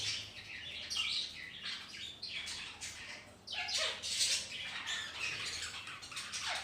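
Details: Colony of pet budgerigars living at home alongside ring-necked parrots: a continuous busy warble of chirps, twitters and short squawks from many birds overlapping at once.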